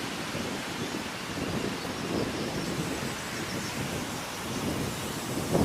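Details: Steady heavy rain with low rumbling thunder and some wind fills the whole recording, with no animal calls heard.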